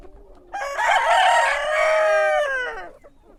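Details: Rooster crowing in the morning: one long, rich, harmonic crow lasting about two and a half seconds, rising briefly and then holding steady before it trails off, over a quiet background.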